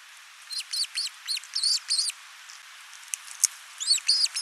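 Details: Osprey nest in Finland, 29 June 2024, seen on a nest camera. The male delivers a large live fish and the female feeds the single chick. A run of thin, high, rapidly repeated chirps is followed by a pause, then more chirps.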